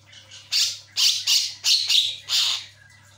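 A Javan myna gives six harsh, raspy squawks in quick uneven bursts, about one every half second, over a low steady electrical hum.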